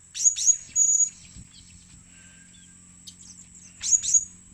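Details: A blue-crowned hanging parrot gives very high, thin squeaks for luring birds: a quick pair and a drawn-out note, a long quiet gap, then another sharp pair.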